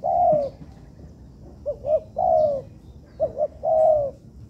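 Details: Spotted dove in a constructed yard, trained as a captive bird, repeating a phrase of two quick soft notes and a long low coo that slides downward, three such coos in under five seconds.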